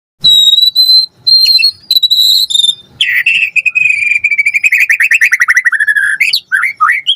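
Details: White-rumped shama (murai batu) in full, lively song, used as a lure to prompt other shamas to answer: clear steady whistles near one pitch, then a long rapid trill that slides downward and ends in upslurred notes.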